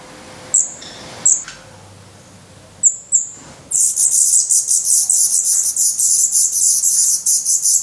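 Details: Black Redstart chicks in a Portuguese nest, hungry and growing fast, mid-May 2020: a few isolated sharp high chirps with pauses, then an abrupt outburst of continuous rapid, hissy begging.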